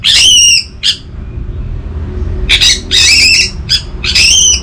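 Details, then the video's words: Anis merah (orange-headed thrush) giving loud, harsh, squawking notes in irregular bursts, some short and some drawn out, from a recording meant to lure silent birds into singing. "Burung ANIS MERAH Macetan Terpancing Gacor Didengarkan Kicauan Ini"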